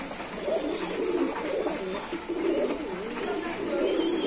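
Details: Loft pigeons give loud, wavering, throaty coos in overlapping rolls, one bird after another, almost without pause.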